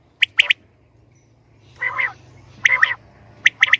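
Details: Female common quail giving a few sharp paired clicks, then a longer harsh buzzy note, more doubled clicks and a final pair, with quiet gaps between.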